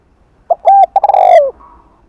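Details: One spotted dove phrase, Hạp bổi voice with thúc and gù, recorded in the afternoon to attract doves: a few staccato hoots followed by a long, wavering coo that slides down and fades.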